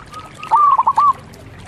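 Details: Single short phrase from a local zebra dove: a thin drawn-out lead-in, then four quick, rolling cooing notes ending abruptly.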